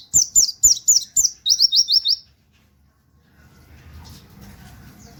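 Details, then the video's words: Sharp, high white-eye 'nembak' song with 'wit wit' canary-like notes, meant as master material: six emphatic downslurred notes, then a rapid rising four-note trill, followed by silence and faint low background rumble. "pleci nembak wit wit kenari cocok buat masteran"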